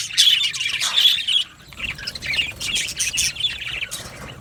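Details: Budgerigar flock chirping, loud bright twitters and squeaky warbles in the first second and a half, then softer chattering bursts.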